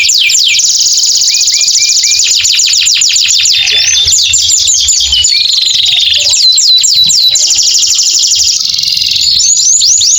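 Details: Canary song from an Indonesian long-singing combination recording meant for birds after moult and to prompt canaries that stopped singing: loud, unbroken high-pitched rolling trills and rapid chirp runs with no pauses, a faint low hum underneath.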